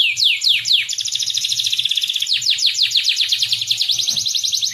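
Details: Canary singing as a lure for training young birds: quick downward-sweeping whistles that run into long, fast, buzzy rolling trills, nonstop and loud, over faint low thumps.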